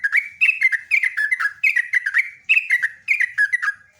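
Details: Trucukan (sooty-headed bulbul) in full gacor ropelan song, a long unbroken run of bubbly, warbled phrases tumbling up and down, delivered rapidly without pause.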